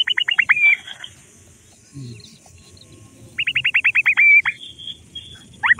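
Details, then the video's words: Dakhni teetar, grey francolin chicks at play in mud: quick series of high descending peeps ending in a drawn whistle, a pause with rustling and a brief low thump, then another fast peeping run. "dakhni teetar chicks playing with mud forest diffrent voice"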